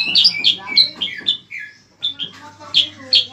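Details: Bayeman (cicak kurincang) song, used to train cage birds for contests: varied, slurred notes, some falling in pitch, delivered in an uneven phrase with a short gap before further bright notes.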